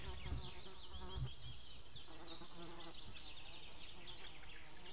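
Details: White-tailed eagle pair on 2 May 2016 near midday, female calling, male calling from a distance outside; rapid run of high, clipped, downslurred yelps in quick succession over a low constant hum.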